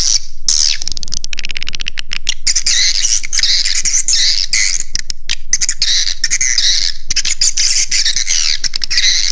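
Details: Swiftlet lure call for roosting, Raja Di Laut style, aimed at attracting birds: rapid stream of high squeaky chirps and twitters, closely packed and steady, with brief breaks near the start.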